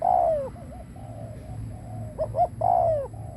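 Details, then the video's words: Spotted dove used as a decoy to attract others. It opens with a long falling coo, then soft undulating murmurs, then two brief hoots and another long drawn-out descending coo. "Cu mồi đất gù kích bổi cực mạnh / Tiếng chim cu gáy kích bổi hiệu quả / cu gáy gù /Chim cu mồi gù"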